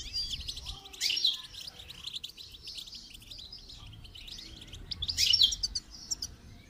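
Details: Goldfinch song used to train a bird: steady high twittering with two louder bursts of sharp notes, one early and one late, over a soft low hum.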